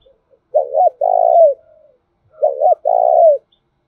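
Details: Spotted dove lure call, thổ đồng voice style, for stimulating other doves: two deep phrases, each a clipped double coo then a long, rough, trembling note, repeated after about two seconds of silence.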